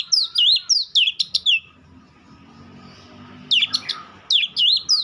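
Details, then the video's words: White-rumped shama delivering rapid bursts of clear, sweeping whistled notes and sharp chips, a series at the start, a pause with soft background noise, then two more lively bursts. "Dengar kicauan Kacer satu ini dijamin langsung nyaut Kacer manapun"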